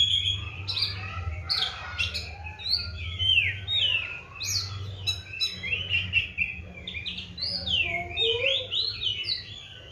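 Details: Dense, varied song of a caged Oriental magpie-robin kept on crickets with morning and evening baths: fast high whistles, buzzy slurs and chirps tumbling one after another, a low hum beneath.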